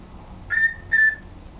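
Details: Male African grey parrot kept as a pet, practising words and sentences: two flat, pure whistled notes in quick succession, each about a fifth of a second, in a quiet room.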